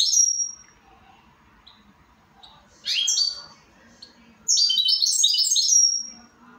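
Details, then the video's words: A goldfinch delivers brief high chips, a short rising-then-falling flourish, and finally a long, rapid, glittering run of stepped twitters that fades out. "Switty goldfinch."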